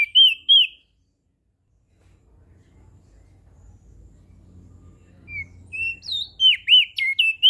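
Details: Lombok crested white-eye singing briskly, used as a tutor for reluctant singers: a short whistled phrase, nearly two seconds of quiet low rumble, then a rising run of sweeping, chirpy notes repeated quickly.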